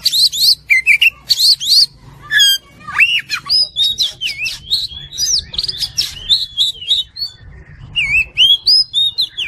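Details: Oriental magpie-robin, kacer fighter style for song training: a dense stream of rapid whistles, looping upslurs and clicky chips that runs with hardly a pause.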